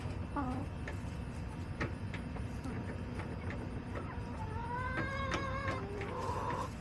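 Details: Hens in a backyard flock calling: short stacked clucks early on, then a run of quick repeated notes and a drawn-out rising call near the end, steady low hum underneath.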